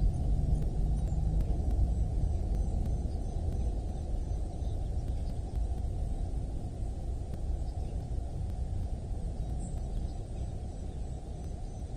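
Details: Only a steady low rumble like wind or distant traffic is heard, with no clear animal call.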